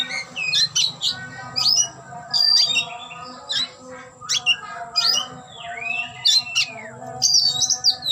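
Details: Displaying oriental magpie-robin (kacer) opening its tail, pouring out a long varied song of sharp chips, squawky harsh notes and a looping whistled slur, phrases repeated every second or so, with a low hum behind.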